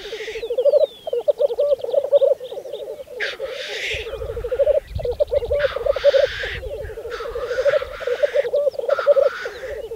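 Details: Black grouse at a spring lek on Saaremaa, Estonia, 2014: continuous low bubbling rookoo phrases, broken several times by sharp hissing sneeze-like bursts, with other birds calling in the background.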